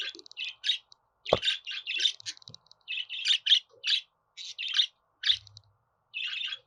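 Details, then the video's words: Budgerigar in steady chattering song, a near-continuous string of raspy chirps and twittered notes, with one sharp tap early on. "Muhabbet Kuşu Sesi"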